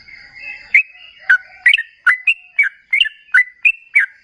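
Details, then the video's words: Gacor trucukan, the sooty-headed bulbul, whose song serves as a lure so other bulbuls reply; spaced sharp whistled notes, about ten in four seconds, over a faint steady high tone. "Suara TRUCUKAN GACOR Ropel Ngalas"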